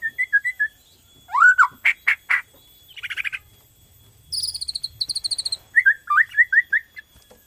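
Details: Borneo white-rumped shama song used to stimulate other shamas: soft wavering whistles, loud rising notes, a buzzy chatter, a high rapid trill, then another run of looping whistles.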